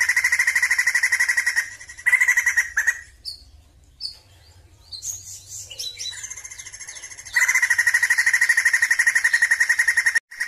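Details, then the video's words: Sumatran laughingthrush singing: long rapid pulsed rattling bursts with a strong buzzy core, broken by a few seconds of varied short chirps and slurred whistles before the loud trill resumes and runs to the end. "PERFORMA BAGUS DALAM BERKICAU BURUNG POKSAY JAMBUL SUMATERA"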